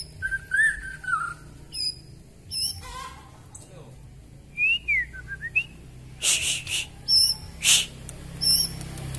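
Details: Long-tailed Kalimantan-type white-rumped shama (murai batu) singing actively, delivering varied fill material: warbled whistles, a looping slurred phrase, then a series of loud, sharp, bright notes spaced about half a second apart.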